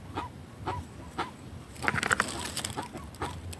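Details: Guan (jacu) making noise in the sertão: short honking yelps repeated about every half second, with rustling and clattering sounds in between.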